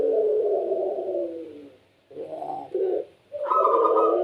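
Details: Puter pelung dove calls with a long falling coo, then two short rounded coos and a louder closing coo phrase.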